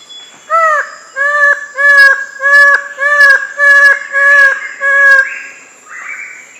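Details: Twelve-wired bird-of-paradise giving a loud series of seven harsh, nasal, downward-bending calls, about one every 0.7 seconds. A steady high insect whine sounds in the background.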